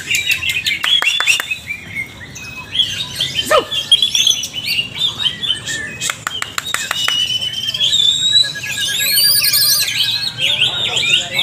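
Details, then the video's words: A greater green leafbird, in training, sings often in wild forest style: a rich, fast run of sweet whistles, sharp chips and rising slurred notes, with a mechanical buzzing trill late on and other birds mixed in. "Latihan Bersama Burung Cucak Ijo Part 2 Ngalas nembak rajin"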